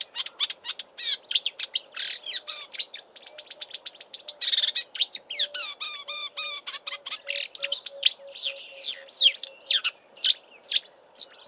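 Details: Continuous, varied song of a marsh warbler copying southern African birds, recorded in March in Eastern Cape bush beside a roadside: dense chattering notes, buzzy bursts and quick rising-falling whistles, with a faint steady tone underneath.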